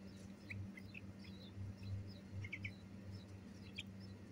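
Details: Bulbul chicks being fed, giving short, thin, high chirps in scattered pairs and bursts, faint against a steady low electrical hum.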